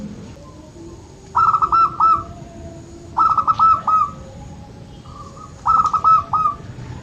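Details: Zebra dove of the local type, used to rouse lazy birds into singing, repeating a rapid stuttering phrase of bright cooing notes about every two seconds, with a softer phrase in between and a constant low hum beneath.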